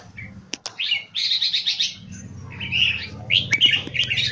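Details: Red-whiskered bulbul, a caged competition singer kept in Singapore, delivering high-frequency keke song: clusters of quick bright chattering notes in bursts, with a faint low hum and a few clicks underneath.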